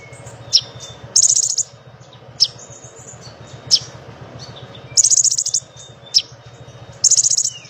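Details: Lesser shortwing in full song: very high, rapid rattling trills in half-second bursts, alternating with sharp single notes and thin high whistles, over a low steady hum.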